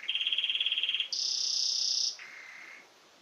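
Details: A canary in Xanthi, Greece sings a fast, rattling trill for about a second, then a bright, steady high whistle, then a softer, lower held note.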